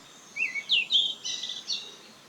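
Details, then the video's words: Yellow-rumped flycatcher on Hallasan, South Korea: a short run of bright, clear whistled notes, the first rising and the rest quick slurred phrases, over quiet background. "한라산 흰눈썹황금새 울음소리"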